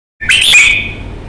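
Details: Red-whiskered bulbul with a fighting temperament, kept as a cage bird in Vietnam, gives a single loud bright burst: a harsh broadband note melting into a clear whistled tone that fades gradually.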